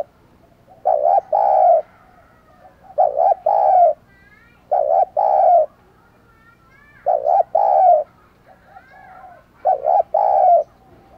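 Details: Spotted dove used as a decoy calling wild birds, cooing in regular phrases every two to three seconds, each a quick stuttered double note then a fuller low hoot, with faint softer coos between.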